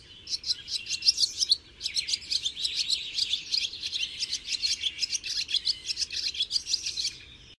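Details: Common nightingale singing: loud, rapid series of sharp repeated notes and short trills in bursts, high-pitched and rhythmic, with brief pauses between phrases; no other clear sounds.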